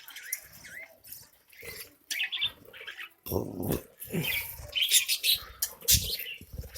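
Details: Caged budgerigar colony feeding on grain chatter in a busy flock, with high, scratchy warbles and chirps overlapping.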